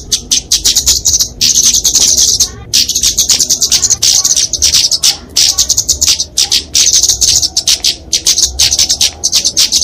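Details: Flowerpecker fighting song used to tutor and lure small birds: long sequence of sharp, high-pitched chips and buzzy trills, delivered in rapid bursts with occasional short gaps.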